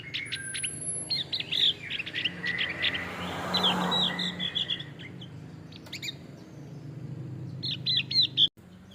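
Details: Male Javan grey-throated white-eye delivering scattered twittering phrases and sharp chips in irregular bursts, with a rushing noise building in the middle. A low hum runs throughout.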